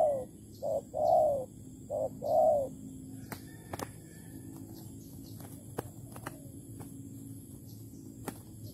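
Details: Spotted dove near a bare-bait trap in Malaysia, 11 August 2020: a few low, hollow short-long coos at the start, then quiet background broken by sharp clicks and taps.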